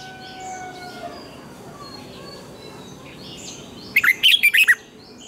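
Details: Red-whiskered bulbul singing to train other bulbuls: after several seconds of softer distant bird chirps and whistles, a loud burst of five or six quick, bright, looping whistled notes near the end.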